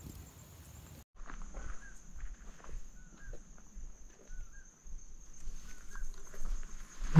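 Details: A Common Poorwill on a night in Arizona gives soft, whistled two-part notes about every second and a half, faint under a steady high insect drone, low rumble and footsteps.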